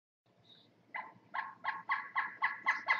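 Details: Pileated woodpecker, one of two heard near a woodshed, gives a series of loud, nasal, evenly spaced notes, about four per second, growing louder through the series.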